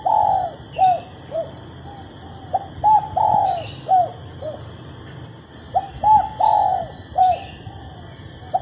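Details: Cooing of a female spotted dove, used to spur males to sing: soft hollow coos in two loose phrases, each with one drawn-out note, over a constant hiss with thin high chirps from other birds.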